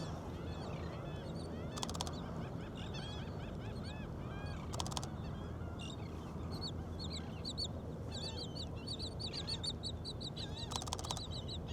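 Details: Gulls on the beach at Jones Park, Gulfport, Mississippi, very active and vocal on a morning at low tide: a dense chorus of many overlapping high, yelping calls over steady low surf and wind rumble, with brief camera shutter clicks.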